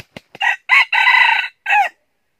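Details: A decoy junglefowl crows to lure wild junglefowl toward a trap in northern Vietnam. A few soft wing beats lead into a brief, raspy four-part crow ending abruptly.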